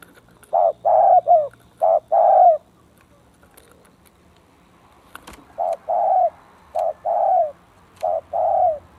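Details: Spotted dove, a decoy bird facing a fierce, bold rival, cooing in repeated phrases of short mellow notes ending in a longer falling coo, a first burst, a pause of about three seconds, then another series.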